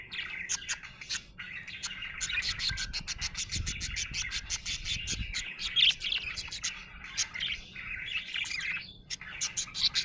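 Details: Happy budgerigar chirping: rapid run of crisp clicking ticks mixed with buzzy warbling chatter, nearly continuous, a short lull near the end before it resumes.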